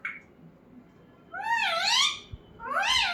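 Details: Indoor pet talking parrot making a brief high note, then two long wavering, meow-like drawn-out cries rising and falling in pitch, plus a small knock.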